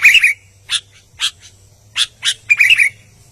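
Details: Albino sooty-headed bulbul singing energetically: short bright chirped notes spaced about half a second apart, then a quick warbled flourish at the end, with a low steady hum underneath.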